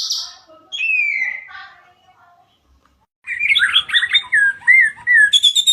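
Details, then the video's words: White-rumped shama song used to lure or trigger singing: a few slurred whistles, a pause, then a rapid jumble of chattering, warbled notes ending in clipped high chips. "Pancingan murai batu 100% efektif langsung auto gacor"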